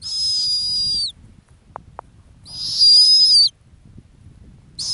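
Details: A female snowy owl nesting on the ground in the Arctic calls in long, steady, high-pitched whistles lasting about a second each, two full calls and the start of a third, with two soft clicks between.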